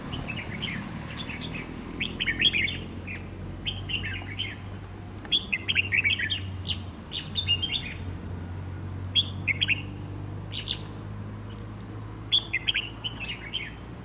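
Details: Dark-bibbed red-whiskered bulbul used as a trap-fighting decoy, calling in clustered bursts of sharp chirps and quick slurred whistles. Bursts come every second or two, separated by short pauses, over a quiet low hum.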